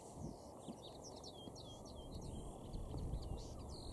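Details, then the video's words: Common linnet singing on heathland at Cavenham Heath, Suffolk, UK, on 4 April at 6:30 pm: a fast, varied run of twittering chirps and short upward whistles, fairly faint over steady low rumble of wind or distant traffic. "good Linnet singing"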